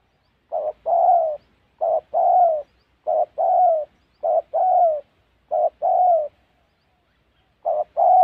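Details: Spotted dove from a trapping outing in the wild hills of Gia Lai, Vietnam. Six two-note coos, a brief low hoot then a sustained downward-sliding coo, roll out regularly. A longer gap comes before the final phrase.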